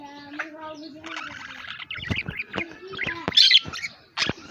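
A budgerigar chatters in quick chirps, squawks and warbles, with a few speech-like tones.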